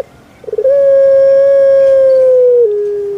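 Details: Captive puter pelung dove from Java, Indonesia: a stuttering start leads into a long, pure, drawn-out coo held level for about two seconds, then dropping to a lower tone.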